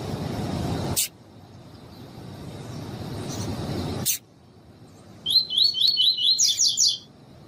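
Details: Double-collared seedeater in the 'tui tui' song style, played with female calls to warm up and train a male: after a stretch of loud rumbling noise, a quick run of about nine sharp, repeated high chirps lasting under two seconds.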